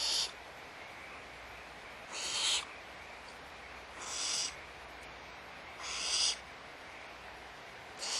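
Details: Barn owls at Audubon Starr Ranch Sanctuary at feeding time, morning of 16 March 2011, give harsh, breathy hisses about half a second long, repeated roughly every two seconds over a steady background hiss.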